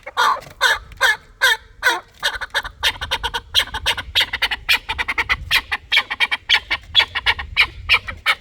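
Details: Chukar partridge calling in a dense run of rapid, rhythmic clucking notes, each burst broad and harsh, with the series speeding up and growing busier toward the end.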